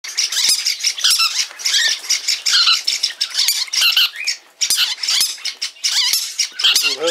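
Green-cheeked parakeets chatter in a dense run of harsh, buzzy squawks and rapid scratchy notes, nearly continuous, with several birds calling over one another indoors.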